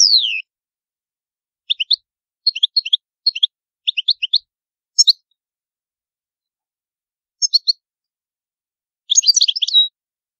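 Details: European goldfinch singing in the antique Palermo Sicilian manner, free of background noise: a falling slurred note, a series of repeated three-note chirp groups, scattered pauses, then a closing burst of fast twitters.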